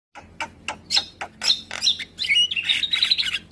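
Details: Javan pied starling singing in the morning, prompting neighbours' starlings to answer: loud scratchy chattering notes building into a run of clear whistled fragments, with a low rumbling background.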